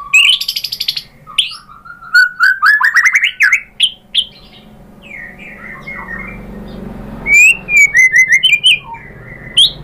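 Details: White-rumped shama song used as a lure to provoke a rival into singing: rapid varied whistles, rising slurred notes and sharp chips in dense bursts, then a pause with low background hum before another burst of clear whistled phrases.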